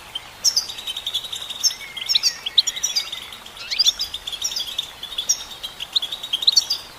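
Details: Female goldfinch singing: high, thin twittering notes and quick upward chirps in loose bursts, with a faint steady hiss behind them.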